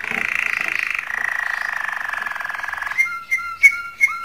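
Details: Canary song meant to stimulate females for mating: a long, rapid buzzy roll held for about three seconds at steady pitch, then a series of clear, sharp whistled notes spaced under a second apart.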